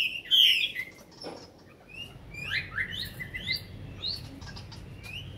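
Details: Chinese hwamei, a caged bird of more than five years in Hanoi, Vietnam, singing after feeding: a bright opening whistle, a pause, then short upslurred and downslurred notes against a low background hum.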